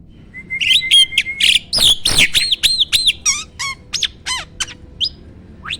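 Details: Starling song played near caged birds to make them sing: a level whistle, then quick repeated arched whistles and squeaky slurs, fading to a few sparse sharp notes.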